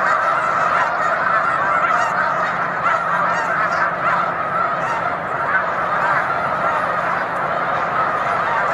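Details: Large gathering of Snow Geese on Cayuga Lake, March afternoon: continuous dense honking chorus, loud throughout with small surges of sharper yelping calls.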